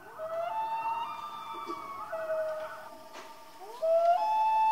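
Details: Common loons at night: layered, siren-like wailing notes that rise, hold and overlap, pausing briefly before a loud rising wail swells at the close.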